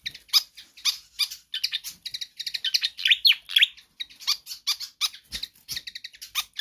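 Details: Vigorous Pied fantail song suitable for tutoring other songbirds: continuous high scratchy chips and squeaks, with a cluster of loud downslurred whistles in the middle and a few faint low thumps.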